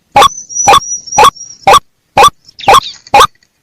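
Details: White-breasted waterhen calls used as a lure to attract birds: short, separate throaty notes repeated about twice per second, with a thin high whistle running faintly behind the first half.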